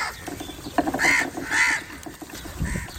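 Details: Crow calling to other crows: two harsh, arched caws about half a second apart, with a low rhythmic clattering and scattered background noise around them.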